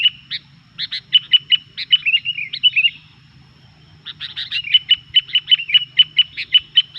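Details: Rowdy Sooty-headed bulbul, singing to provoke others of its kind: a string of sharp clipped notes and a warbled trill, a second's pause, then a steady even series of bright chirps over a low drone.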